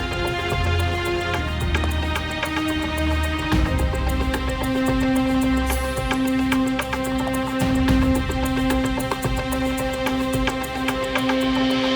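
Instrumental music plays throughout, with steady sustained tones and layered instruments, and no animal sounds are heard.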